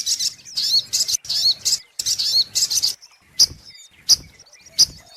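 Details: Sunbird, known locally as sogok ontong, in a lure recording: bursts of high, thin chirping and sharp twittering phrases, then a pause with isolated high clicks and short notes.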